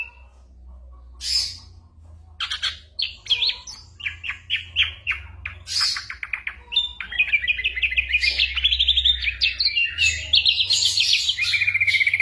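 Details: Ashy drongo singing a mimicry song that includes imitated gunshot and other bird sounds, recorded for tutoring white-rumped shamas during moult. Varied chirps, buzzy bursts and fast trills, ending in rapid rising-and-falling warbled runs.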